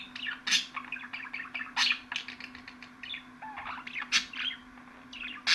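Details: Budgerigar giving lively chirping chatter with harsh, loud squawky bursts about every second and softer twitters between, over a steady hum.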